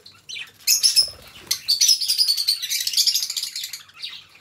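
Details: Pet budgerigars, two companion birds kept indoors, warbling: a dense run of buzzy chattering and scratchy high notes with whistled slurs, broken by short pauses, steady chatter through most of the stretch.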